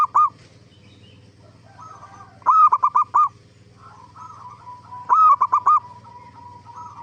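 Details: Zebra dove song for luring other zebra doves into answering: two full rolling phrases of rapid clipped coos, plus the tail of another at the start, with softer wavering coos filling the gaps over a low hum.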